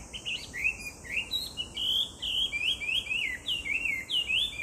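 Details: Chinese hwamei song recorded in July 2019: loud, clear whistled notes sliding up and down in rapid succession, a flowing melodic string of varied slurs, with a constant high-pitched insect hum behind.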